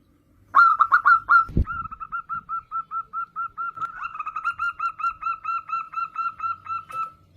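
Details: Local zebra dove singing actively: a rapid run of short, soft cooing notes at an even pitch, repeated evenly for several seconds after a brief stuttered opening, with one low thump early on.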